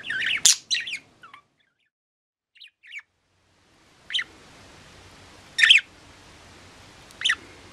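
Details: An old pet budgerigar with weakened legs gives short, scratchy chirps and squawks in scattered bursts, a few soft twitters between them, over a faint room hum.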